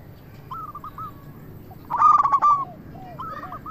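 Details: Local zebra dove singing, used as a lure to make other zebra doves answer: soft cooing notes, then a loud, rough, stuttering phrase of quick coos at two seconds, followed by fainter coo series from other doves.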